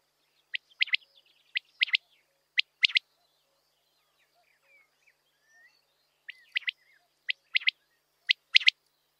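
Common quail giving its liquid three-note 'wet-my-lips' phrase, one note then a quick pair, repeated about once a second in two bursts with a quiet pause between.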